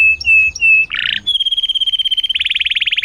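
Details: Canary singing loudly, from a recording used to coax quiet canaries back into song: steady whistled notes, a brief buzzy burst, then a long level trill and a rapid pulsing rattle.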